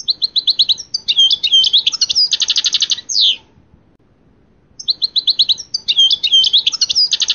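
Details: European goldfinch passades song: fast liquid twittering, high chirps and rattling trills running about three seconds, a short pause, then the same lively sequence starting again, indoors-sounding with faint background hiss.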